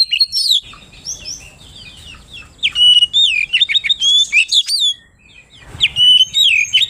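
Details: Oriental magpie-robin (kacer) in full, loud 'ngeplong' song said to call a rival. Rapid loud whistled phrases with sharp upward and downward slurs, clustered in dense bursts with brief pauses; a faint low rumble beneath.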